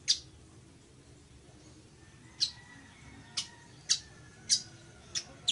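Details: Village weaver calling with short, sharp, high ticks, a few scattered then a quicker run of five near the end.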